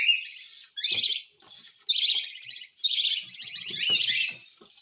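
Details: Cockatiel at hand-feeding time: loud grating rasps roughly once a second, each with a pulsed, stuttering texture, with faint low rustles between calls.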